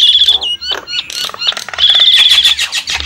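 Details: Javan myna lure recording for attracting wild birds, opening and closing with a thin high trilled whistle and broken by harsh squawks and chatter in a crowded, noisy stretch.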